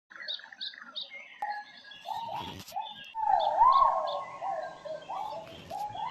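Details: Great argus (haruai) in the Kalimantan interior: a loud drawn-out note near the middle, swelling with a short rising hump and holding steady for about two seconds, amid chirps and short whistles from other forest birds.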